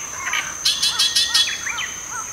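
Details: Oriental reed warbler (Acrocephalus orientalis) giving non-song ground calls: five harsh, rasping chacks in quick succession with thinner chirping notes around them, over a steady high whine.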